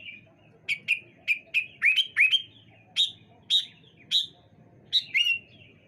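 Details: Sooty-headed bulbuls calling back and forth on a bright morning: short bright chirped notes, each a sharp downward flick settling into a brief whistle, given in quick runs and paired bursts with brief pauses between.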